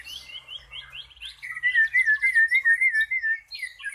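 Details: Cucak pantai song, claimed to match the cucak rowo: a few rising chirps lead into a loud, rapid wavering warble of fluid whistled notes, about three per second, ending with scratchy chirps.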